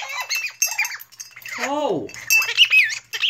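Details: Pet blue-crowned conure, loud during a fit indoors: piercing, harmonic squawks, including a long downward-sliding screech in the middle, then shrill, high squeals, with a woman speaking to the bird.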